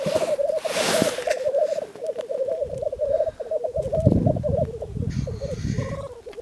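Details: Black grouse at a lek arena: a steady, rolling, bubbling cooing that runs almost unbroken throughout, with gusts of wind and a faint higher hissing call partway through.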